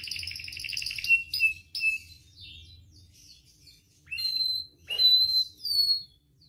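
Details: Canary song for training and provoking caged singers: a buzzy trill, sharp chirps and pure whistles, a quieter patter of notes, then loud downward-gliding whistled phrases.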